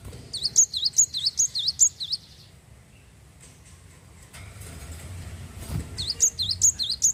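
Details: Gacor Java sparrow song, meant to get other Java sparrows singing: a run of evenly spaced, high, ringing chirps, then a lull of low background noise before the chirping starts again.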